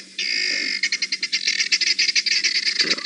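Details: Guineafowl, just arrived, alarm calling at a resting male leopard in Sabi Sand, South Africa, August 2017: a sustained harsh note breaking into fast, regular grating clicks, about eight per second.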